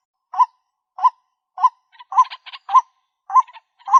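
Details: Clear, evenly spaced White-breasted waterhen (Amaurornis phoenicurus) lure call: short, low, slightly rising hoots about every 0.6 seconds, with a few scratchy chattering notes between them in the middle.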